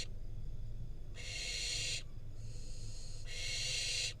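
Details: Wild barn owl fledgling in Israel receiving a rodent from its parents, filmed by nest cam. Breathy hissing screeches: a loud one, a softer one, then another loud one, each about a second, over steady low hum.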